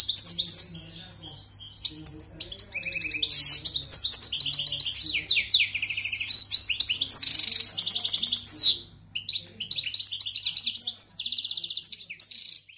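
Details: European goldfinch singing a long song phrase with pegada-style endings: dense rapid twittering, buzzy trills and chirps, jumbled quick notes with a brief pause near nine seconds before the chattering resumes; faint low hum beneath.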